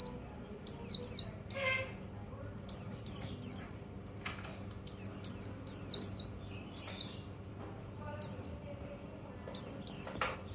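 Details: A long run of white-eye (pleci) stimulant calls: crisp, high descending whistles in doublets and triplets every second or so, with an occasional click in the background.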